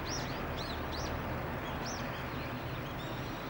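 Daurian redstart giving thin, high, arched whistled notes, four of them spaced irregularly about half a second to a second apart, over a steady low rumble of background noise.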